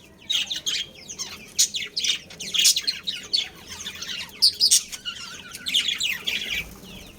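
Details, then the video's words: Pet budgerigars, a breeding pair with family, keep up rapid, high-pitched chirping and twittering in uneven pulses, some notes ringing sharper and louder than the rest. "Adorable Budgies Chirping Sounds"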